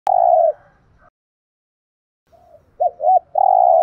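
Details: Spotted dove with a fine voice, its cooing used to train decoy birds to coo back: a long, steady mid-pitched coo, a pause of over a second, then two short hooked notes and another long coo beginning.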